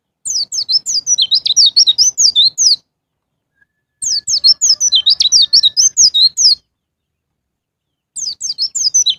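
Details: White-eye singing in the ngalas ngeplong style, used to prompt caged birds to sing: quick runs of high twittering notes in bursts of about two and a half seconds, with short silent gaps between them.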